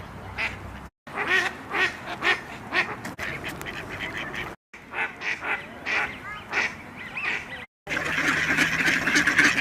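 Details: Khaki Campbell duck giving a run of harsh, nasal quacks in rapid bursts of two to four, about two a second, with brief silent breaks and a noisy, louder stretch at the end.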